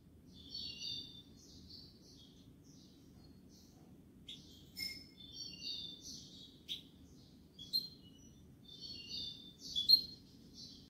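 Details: European goldfinch singing the kubiya malqa style: soft, scattered high twitters and short chirping phrases spread across several seconds, with occasional sharper clicks and a quiet continuous low hum underneath.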